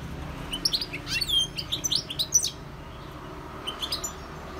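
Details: European goldfinch giving a short burst of twittering song, quick sweeping chirps and a buzzy note packed into about two seconds, then quiet before a few faint high notes.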